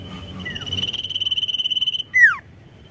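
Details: Sirtu singing to provoke rivals, giving a fast buzzy trill steady on a high pitch for nearly two seconds, a brief earlier falling note, then a loud steeply descending whistle; a faint low hum continues underneath.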